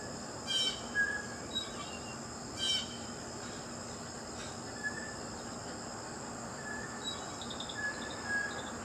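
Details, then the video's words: Two grating Blue jay screams near the start, then scattered thin whistles and chips, with a continuous shrill insect chorus in the background. "Blue Jay Birds Sounds"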